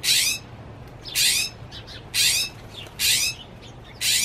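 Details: A Northern mockingbird perched on a tree branch on 25 October 2020 gives harsh, raspy, high-pitched bursts about once a second, five in a row, with a faint steady hum underneath.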